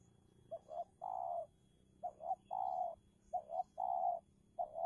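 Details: A decoy spotted dove battles a wild dove with its call. A clipped double note leads into a longer mellow coo, repeating roughly every second and a half over a quiet background.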